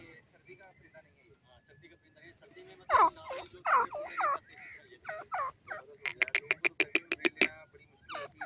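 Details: Grey francolin calling: loud, harsh, dipping notes repeated roughly once a second from about three seconds in, followed by a rapid burst of sharp clicking notes, with faint music in the background.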